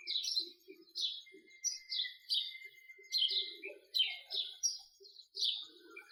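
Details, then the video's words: A house sparrow chirps steadily, giving sharp high cheeps about twice a second in an even rhythm, with a thin sustained tone running beneath part of the series and soft low chatter. "Call of a house sparrow"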